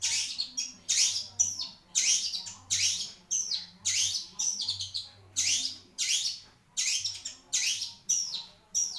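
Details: Caged long-tailed shrike delivering harsh, buzzy, descending notes repeated at a steady pace, about one every 0.6 seconds, loud and rasping throughout.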